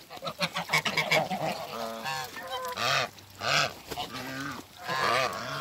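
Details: Meeting of a mature Toulouse goose couple after relocation; a fast chattering series gives way to long, drawn-out nasal honks rising and falling, spaced about a second apart.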